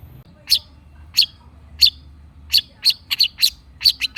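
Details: Long-tailed shrike uttering single hard, buzzy chack notes spaced about every two-thirds of a second, quickening into closer pairs at the end; a lure to make quiet shrikes answer.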